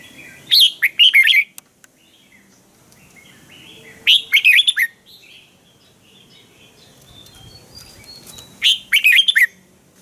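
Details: Red-whiskered bulbul, a Thai cage bird, delivering a crisp training song: three bright phrases of rapid, warbling notes spaced three to four seconds apart, with faint high chirps from distant birds between them.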